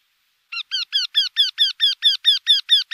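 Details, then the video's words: A steady series of loud, nasal, slightly falling notes from a Eurasian wryneck, evenly spaced about five to a second's span, rising a little in strength as the series goes on. "Krętogłow. Odgłosy krętogłowa. Dźwięki Krętogłowa."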